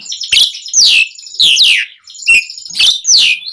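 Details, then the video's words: Asian pied starling singing, a recording meant to lure captive birds into song: loud harsh downward-sliding squawks and whistles in bursts about half a second apart. "Suara Jalak Suren Gacor Auto Nyaut Langsung Efektif buat Pancingan Burung Jalak"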